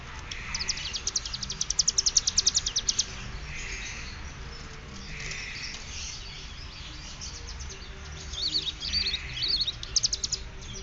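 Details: Mountain prinia (ciblek gunung) from Cililin learning to sing ngeriwik bren fluently: a quick rattle of high ticking notes rising in loudness, a long quieter pause, then another shorter chattering burst.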